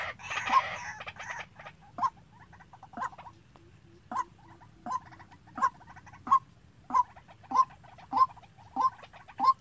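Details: White-breasted waterhen calling as a trapping lure: a steady series of short, low, hollow clucking notes repeated roughly every 0.6 seconds, after an opening flurry of rougher chatter, with a faint constant high whine behind.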